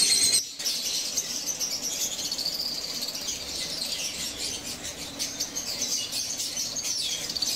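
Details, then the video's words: Fischer's lovebirds chatter without pause in a dense run of shrill, high squeaks and twittering chirps, with a brief knock near the start; recorded July 29, 2023. "Lovebird singing lovebird voice fisher sound"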